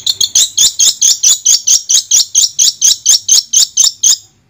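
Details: Long-tailed shrike, recorded as sound therapy to restart a shrike that has stopped singing: a loud, rapid series of harsh, scratchy chirps, about four per second, evenly repeated for four seconds before stopping, with no other sounds.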